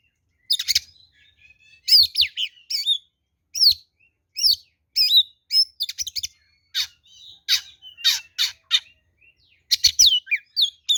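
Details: Kacer, the oriental magpie-robin, singing a combative lure song: rapid series of loud, scratchy high phrases mixed with clear whistled slurs, bursts coming every half second or so with brief gaps.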